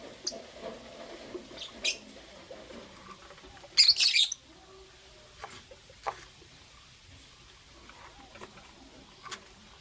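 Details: Morning sounds of green Fischer's and pastel blue lovebirds: one loud, rasping high squawk stands out among sparse faint ticks and small chirps over a quiet room.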